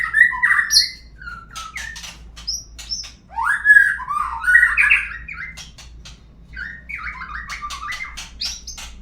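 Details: White-rumped shama song for prompting birds to sing: rich warbled whistles sliding up and down, broken by rapid clicking ticks, in phrases with short pauses.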